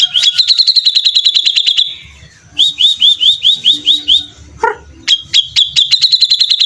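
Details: Grey-cheeked bulbul singing energetically in a 'beset ngepik' style: fast runs of sharp, high repeated notes, a series of upward-flicking chips, then another rapid high trill.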